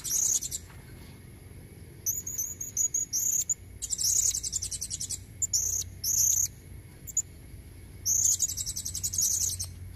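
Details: Natural recording of a female blue-crowned hanging parrot used as a lure for males: repeated shrill, buzzy high-pitched bursts of chatter separated by short pauses over a low background hum.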